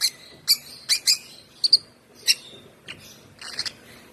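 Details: African lovebird chick, one month old and hand-fed since two weeks of age, making thin high chirps in loose clusters, some doubled, with short pauses between.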